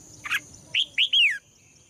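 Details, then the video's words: Female red-whiskered bulbul song, used to provoke males into singing hard: a short burst of chirps, then three clear whistled notes, the last a longer slur falling in pitch. A faint steady high whine sounds throughout. "นกหัวจุก birds - เพลงนกตัวเมียเพราะดี ชวนให้นกตัวผู้ร้องอย่างแรง"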